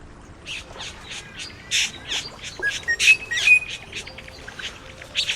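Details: Satin bowerbird, native to Australia, whose song mixes mechanical sounds with imitations of other birds and environmental noises, giving a busy, scratchy jumble of harsh squawks, clicks and buzzy notes with a few thin whistles, fast and irregular.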